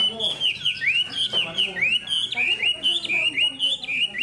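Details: Spread-tailed hwamei kept in a cage, noted for its fine singing, pouring out clear ringing whistles, several deep swooping dips, then quick looping high notes repeated without pause.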